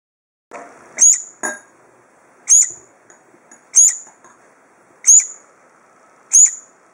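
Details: A Brown-eared bulbul (Hypsipetes amaurotis) chick, perhaps fallen from its nest in a typhoon, found calling at a front door and rescued, gives thin, very high squeaky notes about every 1.3 seconds, amid soft rustling and handling noises.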